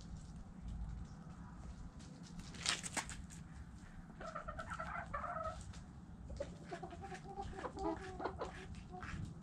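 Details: Hens clucking in short wavering bursts, several birds calling around the middle and end, with scratching clicks and a constant low hum beneath.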